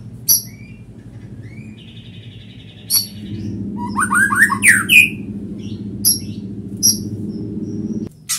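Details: White-rumped shama giving scattered high chips, a steady whistled note, then a short run of descending slurred whistles, over a noticeable low rumble.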